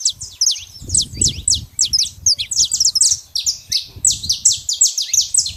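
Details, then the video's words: Saffron finch in nature giving a busy series of crisp, high downslurred chips in rapid clusters, over intermittent low rumbling noise. "canário da terra fazendo barulho na natureza"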